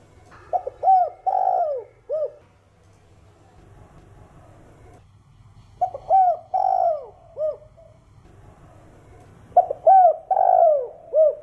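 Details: Spotted dove cooing in the 'thổ đồng' calling style meant to stir other doves to sing: three phrases of clipped hooting notes followed by longer arched coos, separated by brief pauses.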